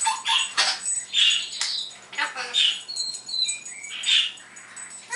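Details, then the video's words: Pet parrot indoors in the morning, calling the household dogs and imitating sounds: rough squawky syllables interspersed with thin steady whistled tones. "Noah Does Sound Effects"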